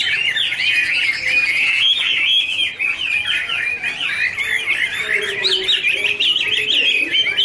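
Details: Hwamei duet with dancing: a dense, varied warble of fast whistled and slurred notes running continuously, with a few lower tonal notes underneath later on.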